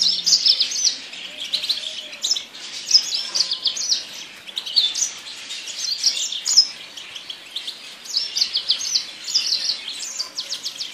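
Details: Yasmin bird song as a long run of rapid, high-pitched twittering notes, clustered in quick bursts that rise and fall steadily for about eleven seconds, with no other clear sounds.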